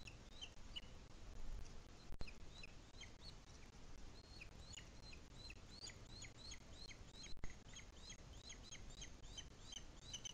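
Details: Booted eagle (Hieraaetus pennatus) nest webcam, Sierra de Guadarrama National Park, Madrid, Spain, 2021 breeding season, chick still being fed: high, thin, downslurred peeps repeating rapidly, several per second, over a steady low wind or microphone rumble.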